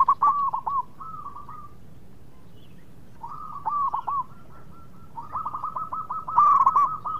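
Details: Local zebra dove in active song, meant to lure rival birds into answering quickly; three bursts of rapid rolling coos with pauses between, the final run loudest and fastest.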